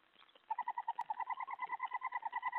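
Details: Owl during a nighttime food delivery, a mouse brought in at 3:10 AM on 31 July 2017; after a quiet start, a steady run of rapid, evenly pulsed nasal notes, roughly nine a second, continues to the end.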